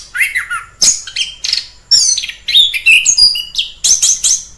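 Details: Orange-headed thrush singing in the wild: a varied run of loud whistled and chattering phrases, sweeping notes mixed with harsh bursts, several short phrases within under five seconds.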